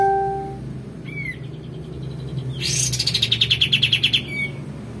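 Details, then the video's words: Male white-eared bulbul singing vigorously: a brief rising whistle, then a fast, bright chattering trill of about a dozen notes over a low background hum. "kapas tembak jantan gacor"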